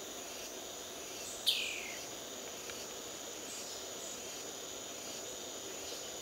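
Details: Ocellated poorwill at Brusque giving a single downslurred whistle that falls steeply in pitch over about half a second, then silence, with a constant high insect hiss underneath.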